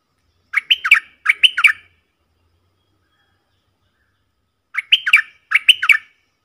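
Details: Forest recording of four bulbul decoy birds: two bursts of chattering, doubled warbled phrases, each burst about a second long, separated by a silent gap of nearly three seconds.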